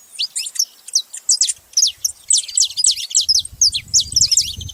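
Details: Several saffron finches calling together: a dense run of short, sharp, high chirps and downslurred notes, overlapping and repeated rapidly in bursts, with faint low rumble near the end.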